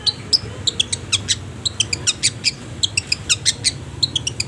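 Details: Long-tailed shrike singing a training song for caged birds: a rapid, steady string of short, bright high chirps and clicks, several each second, over a faint low-pitched hum.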